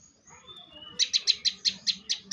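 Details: Competition-grade bar-winged prinia song: a fast series of loud, high, clipped chirps repeated roughly five times a second, preceded by faint thin whistles.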